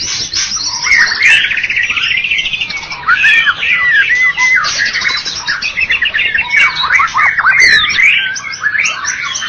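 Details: White-rumped shama (murai batu) of Medan and Java type, a first-place bird-contest winner, singing a rich, unbroken stream of varied whistles, trills and rapid chattering phrases, with sweeping notes rising and falling throughout, no pauses.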